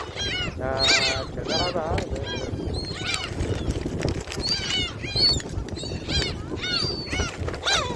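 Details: At Jebudo, gulls being fed utter a barrage of short, rising-falling yelps and a few longer squeals, closely layered, with background rumble and faint voices.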